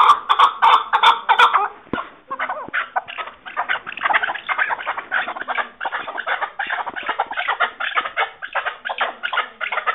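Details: Chakor, the chukar partridge, in 2021: a long run of rapid, grating chuk notes that speeds into a steady rhythmic cackle of about three notes a second, continuing throughout with little pause.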